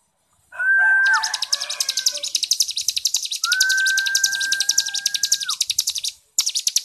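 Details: Master recording of white-rumped shama for songbird training, dense and harsh style: a long pure whistle held steady then dropping, under a continuous high, rasping rattle of rapid pulses, cut off near the end then resuming.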